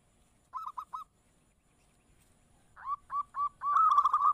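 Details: Zebra dove (perkutut) opening with three soft clipped coos, then a silence, then rising notes that build into a loud, continuous rolling trill of cooing.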